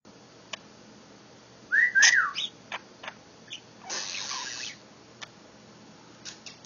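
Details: A pet budgerigar, asked to do its R2-D2 imitation, gives quick whistled chirps, scattered clicks and a brief scratchy chatter.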